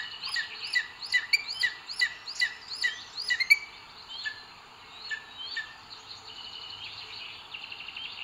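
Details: At a Booted eagle nest in Spain's Sierra de Guadarrama, 2 June 2022, male arriving with food for the female, captured by a webcam: quick high whistled notes repeated for about three seconds, then fading into softer, scattered calls and steady hiss.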